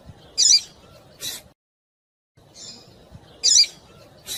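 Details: Short raspy high calls from a female double-collared seedeater, used to excite a male into song, come in pairs of a chip and a hissing burst, repeated after a brief silent gap.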